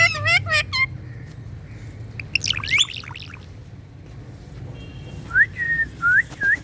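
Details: Green talking parrot giving sharp rising and falling whistled chirps, a quick zigzag burst at the start, a trilled cluster in the middle and four upslurred whistles near the end.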